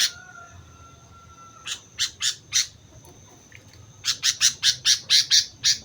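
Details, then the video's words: Sooty-headed bulbul in song on Mount Slamet: loud, harsh chattering notes given in quick bursts, first three spaced notes, then a rapid string of about eight, over a faint steady high tone. "suara burung kutilang gacor gunung slamet"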